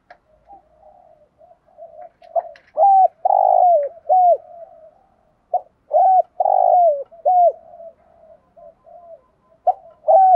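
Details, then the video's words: Captive decoy spotted dove gives low, hoarse coos: a soft bubbling run building to three or four louder, slurred notes, the phrase repeated about every three seconds. "chim cu gáy mồi THÚC GÙ = GÁY GỌI"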